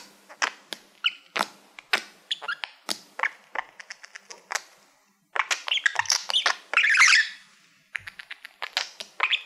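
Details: Male pet budgerigar facing a silver award plaque he treats as a mirror, giving a steady run of dry clicking ticks spaced about every half second, then a louder rush of buzzy chatter and more ticks.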